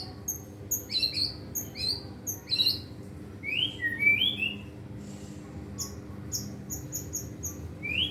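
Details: Caged white-rumped shama rehearsing imitated song material: sharp high paired notes, a couple of fluting whistled slurs, then a run of quick high ticks ending in a rising whistle.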